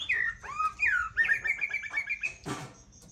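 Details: Cage-kept white-rumped shama giving loud, sweet whistled song: falling slurred notes, then a quick series of repeated bright notes, ending with a harsh rasping burst, over a faint background hum.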